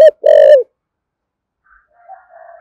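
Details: Thổ sấm spotted dove giving one brief call: a short clipped note, then a sustained low hoarse coo. Quiet thin bird calls follow after a pause.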